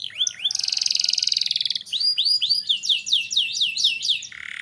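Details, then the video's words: Canary singing to spur young canaries to start singing: a dense buzzy trill, then looping rising-falling whistled notes repeated about three per second, ending on a short low buzz. "Burung kenari gacor cocok untuk MERANGSANG kenari bahan agar cepat gacor"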